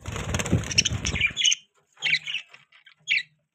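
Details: Pet budgerigar chirping: a burst of broadband scratchy noise, then short warbled chirps at about two to four seconds, separated by brief silences.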